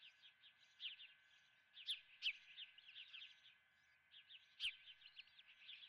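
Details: Quieter, fairly distant chirping from ospreys at the Dunrovin nest during a breakfast of live fish: high, short notes in loose runs, with a few louder piercing peaks and a faint steady hum beneath.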